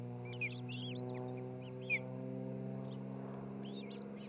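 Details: Ospreys at a new nest in Charlo, Montana, filmed by a nest camera on 27 June 2018. Scattered high, slurred whistled chirps come in two loose groups, with a constant low hum underneath.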